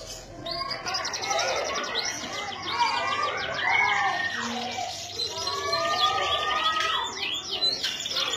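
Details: Canary singing in Indonesia: dense, overlapping high trills and warbled phrases, rapid repeated notes mixed with lower chattering tones throughout.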